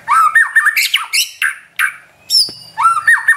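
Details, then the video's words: White-rumped shama song used to provoke and train a pet shama: a varied, loud run of whistled slurs, squawky notes and rising and falling phrases in quick bursts, with short gaps between phrases. "MASTERAN Trotol Murai Juara & Pancingan Ampuh Bikin Cepat Emosi & Tambah Gacor"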